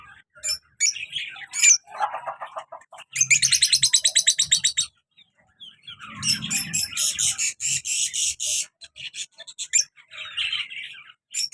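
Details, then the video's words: Active pet lovebird pair, colour male and black mask female: scattered shrill chirps, then a fast rattling buzzy trill lasting over a second, followed by more squeaky chatter and a second rattling run. "colour love bird male and black mask female beautiful sounds"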